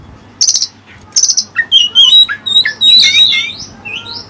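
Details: Oriental magpie-robin (kacer) singing with learned Cililin song material: harsh buzzy bursts, then a rapid run of clear whistled notes and slurred rising and falling phrases, loud and high-pitched with short gaps.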